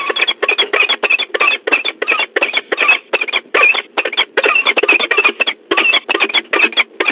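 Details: Peregrine falcon pair, male and female, at their nest in De Mortel on 5 March 2022, calling nonstop: a long series of rasping, clipped calls at a steady fast rhythm, with faint hum underneath.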